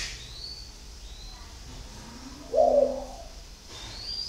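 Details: Spotted dove called 'thổ khách có vấp', Ba Vì, Vietnam: a single short, low, muffled coo in the middle, with faint high twitters from other birds before and after.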